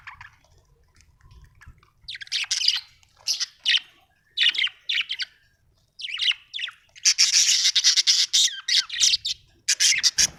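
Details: Happy budgerigar chirping, an Australian bird: bursts of scratchy, buzzy chatter and short squawks in irregular clusters, growing denser and louder toward the end, with near silence between early phrases.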